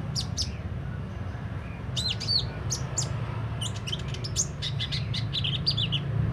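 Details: Sunbird (kolibri ninja) singing with its beak open, described as a steady, prolific singer: scattered high, sharp chirps and short downslurred notes in bursts, over a constant low rumble.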